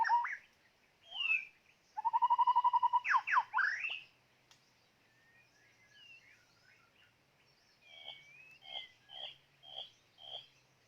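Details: Decoy white-rumped shama sings loud whistled notes, a rapid trill of repeated notes followed by steep slurred sweeps, then a quiet pause and softer, spaced, repeated two-part whistles.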